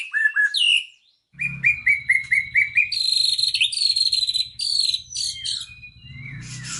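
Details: Magpie-robin song, varied phrases: short rising whistles repeated in a quick run, then sustained high piercing notes and scratchy trills, with a low rumbling background.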